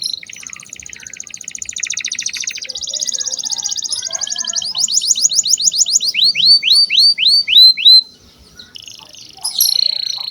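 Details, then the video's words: Prolific canary song used as a lure to train young canaries: dense fast trills, buzzy rattles and a run of rising whistled sweeps repeated several times a second, ending with a harsh high burst after a brief pause. "Pancingan kenari gacor buat kenari paud"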